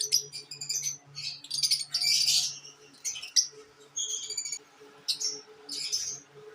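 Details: Pet lovebirds giving a lively mix of shrill squeaks, raspy buzzes and short whistled chirps in quick bursts, with brief gaps between them.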